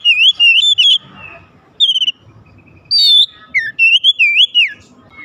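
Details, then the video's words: Oriental magpie-robin pouring out varied whistled song to provoke rivals into singing: quick looping notes, short high bursts, a falling slur and rolling, undulating whistles in a lively sequence. "kicauan terindah memancing Kacer lain langsung gacor"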